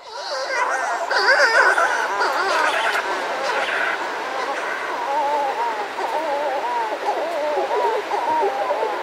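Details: Buller's shearwaters calling outside a burrow, a pair close by with other birds around and surf; overlapping wavering, moaning calls rise and fall continuously in a dense chorus.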